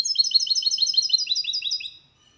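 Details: Hybrid of goldfinch with canary delivering a clean song for stimulating males and memorizing by young birds: a steady, fast series of sharp, high, slurred notes repeated evenly for about two seconds, then silence.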